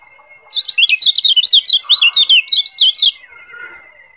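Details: Lombok yellow white-eye (kecial kuning) tutor song used to train other birds: one quick, high, buzzy chattering phrase of about fifteen rapid zigzag notes over two and a half seconds, with a faint constant whine behind.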